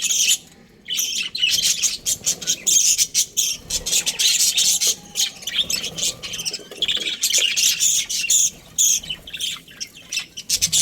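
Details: Australian budgies, a breeding pair, keep up busy chirping. Rapid, raspy, high twitters run almost unbroken after a brief quiet start.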